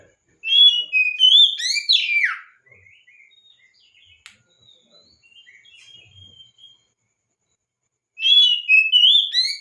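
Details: Oriental magpie-robin song played to draw song from other magpie-robins: a loud burst of rich whistles with a steep downward slide, quiet soft twittering, then another loud whistled phrase.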